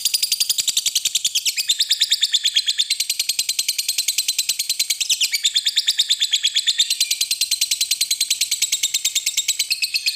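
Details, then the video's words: Lovebird of the fighter type giving a ngekek panjang, a long trilling song: an unbroken, very fast, high rattling trill of evenly pulsed notes that runs the whole stretch, with slight shifts in pitch every few seconds. "Suara Burung Lovebird Ngekek Panjang"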